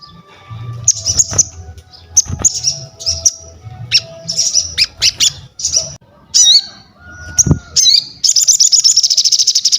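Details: Actively calling crested jay, used for bird-training and luring: bursts of high chirps and squeaky looping notes, then a long fast dry rattle at the end, with faint low hum behind.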